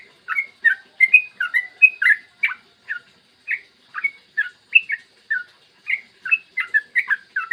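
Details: Clear-voiced morning song from a yellow-vented bulbul, meant to make other bulbuls sing and chatter: bright bubbly notes in quick groups of two or three, with short breaks between phrases.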